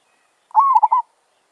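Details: Fierce wild zebra dove from the village, approaching a decoy set by a trapper: a short, bubbling coo of about half a second, made of rolling mid-pitched notes that break into two quick pulses.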